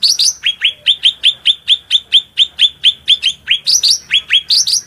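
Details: Cucak rante singing energetically for use as a tutor song, shrill piercing notes: a rapid run of short, sharply falling whistled notes about twice a second, with a few higher squeaky flourishes at the start and end.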